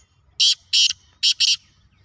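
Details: Black francolin giving harsh rasping notes, four loud broadband bursts in two pairs, the second pair tightly spaced, against a quiet background.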